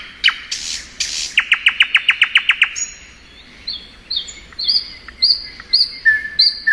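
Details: Thrush nightingale singing in spring: two buzzy bursts, then a fast run of about ten loud clipped notes, followed by thin high whistles and short rising slurs.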